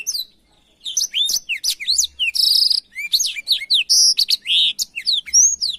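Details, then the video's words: Black-throated canary singing a canary-training song: after a brief quiet start, a lively run of high slurred whistles, chirps and drawn-out buzzy notes follows almost without pause. "suara burung blackthroat untuk masteran kenari"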